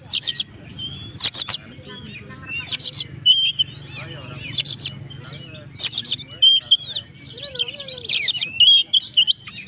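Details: Oriental magpie-robin singing as a challenge to rivals: repeated loud harsh bursts spaced through the passage, interwoven with whistled notes and warbling slurs, over a persistent low hum.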